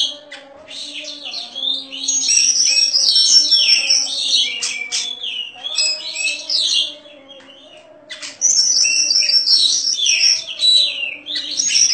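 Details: An Oriental magpie-robin kept for song contests delivers a long, loud outpouring of crystal-clear whistles, buzzy trills and sharp slurred notes, with a brief quieter lull midway, over a faint continuous low hum.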